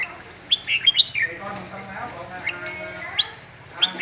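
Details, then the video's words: Red-whiskered bulbul of the Huế type singing: short bright whistled notes sweeping up and down, clustered in a quick burst near the start and spaced later, with murmured human voices underneath throughout. "Chào mào huế hót cực nhiều cực đỉnh"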